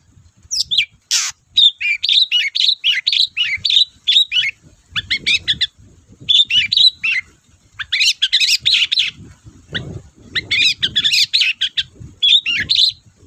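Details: Long-tailed shrike in full, persistent lure song to rouse reluctant shrikes: long rapid runs of varied scratchy chirps and chattering trills in clustered phrases, pausing briefly between bursts, with low background noise.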